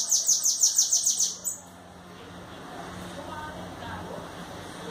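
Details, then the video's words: Bananaquit song: a fast run of high, buzzy, descending notes, about a dozen in just over a second, then near silence with faint background hiss. "O melhor canto de sibite."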